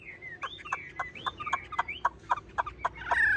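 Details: Chinese hwamei in a cage, said to keep singing even when the cage is shaken, gives gliding whistled phrases over a steady series of dry clicking knocks, ending in a harsh loud burst.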